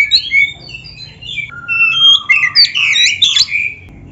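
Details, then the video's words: White-rumped shama (kacer) in full-rich gacor masteran song, played to train and stir caged birds: varied whistled phrases, a long falling whistle, then dense buzzy and sweeping high notes. "MASTERAN KACER GACOR FULL ISIAN"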